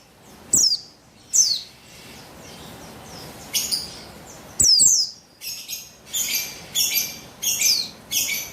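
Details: Female buxtoni Javan white-eye, calling to stimulate males to sing. Single high, falling chirps give way to a rapid string of harsh, buzzy, high notes, repeated roughly twice a second.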